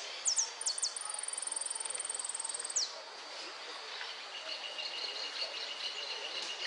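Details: Hooded siskin singing in a contest, the winners' final at Merlo, Argentina, on 13 January 2013. A very high, rapid, even trill runs for nearly two seconds. Short downward-swept notes come before and after it, then quieter twittering follows over background hiss.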